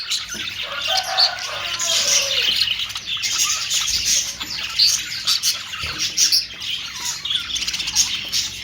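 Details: Budgerigar, called Australian parrot, warbling and chirping continuously, with short squeaky notes and soft lower trills mixed into the busy high chatter.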